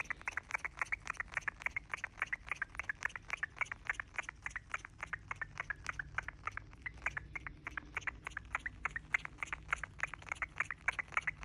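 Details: Pet cockatiel (Nymphicus hollandicus) chirping: rapid, harsh chirps, several each second, in a steady unbroken stream.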